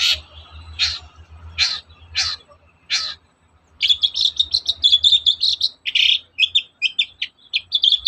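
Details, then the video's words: Long-tailed shrike in the morning, its song used to coax other shrikes to sing; five evenly spaced harsh rasping notes give way to a fast jumble of chirps and buzzy squeaks, with a faint low hum. "SUARA PANCINGAN BURUNG CENDET GACOR PAGI HARI"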